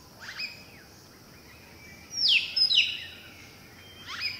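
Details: Southern hill myna (Gracula indica) in Kandy, Sri Lanka, at Hantana and Udawattekele. Its two-note piercing signature call: loud, sharp whistled notes sweeping steeply downward in a quick pair near mid-clip. Fainter high calls come before and after.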